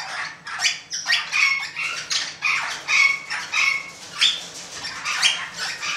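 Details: Golden-mantled rosella giving repeated harsh, scratchy squawks in irregular bursts, each with a brief clearer whistled note near the middle, over a faint low hum.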